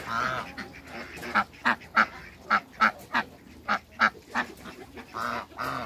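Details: Muscovy ducks, a pair kept in a backyard together with an African male, give short, rough, quack-like calls repeated about once every half second in an even series, with a longer harsher call at the start and end.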